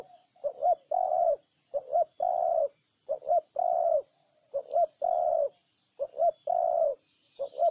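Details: Spotted dove from Ninh Thuận, Vietnam, cooing close and loud in a rhythmic run of about six phrases, each a quick double note followed by a longer flat coo, with brief gaps.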